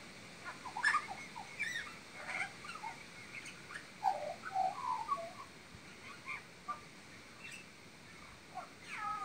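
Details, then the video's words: A magpie imitating horse and parrot sounds gives a varied run of short chirps, squeaks and whistled notes, some rising and some falling, in scattered bursts with brief pauses between them. "Magpie mimicking horse and parrot sounds"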